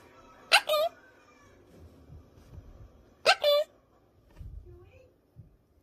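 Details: Caged pet monk parakeet in training, imitating "peekaboo" twice about three seconds apart, each a sharp, buzzy two-syllable burst; soft clicks, low rumbling room noise and a few faint squeaks between.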